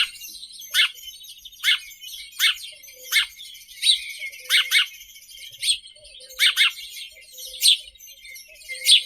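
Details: Loud, separate house sparrow chirps, one every second or so, some doubled, heard over a soft continuous background hiss.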